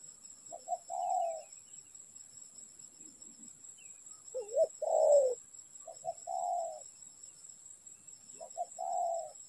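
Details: Spotted dove at a trapping site giving low, mellow coos. Two quick clipped notes lead into a drawn-out rolling note, repeated three times with short pauses, over a constant high-pitched hum.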